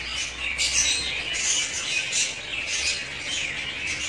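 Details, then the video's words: Breeding pair of African lovebirds kept in a home setting: shrill squawks rise and fall in overlapping bursts about every second, forming a steady, harsh chatter with no other sounds standing out. "Breeding pair African love Birds"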